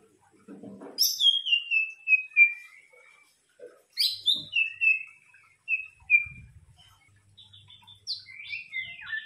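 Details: White-rumped shama song used as a lure: bursts of high sharp notes, each followed by a string of clear whistles falling in pitch, with faint low knocking between phrases.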